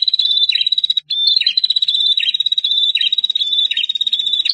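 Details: Bar-winged prinia, a male and female, giving a long trilling song: a high, sustained buzzy trill with short, lower, down-slurred notes repeating about every 0.8 seconds and a brief pause near the one-second mark.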